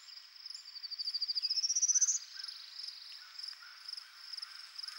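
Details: Male Prairie Warbler, a rare bird in Ontario, singing on his territory on a Sunday morning to advertise for a mate: a rising series of buzzy notes climbing steadily in pitch, over a steady chorus of pulsing insects.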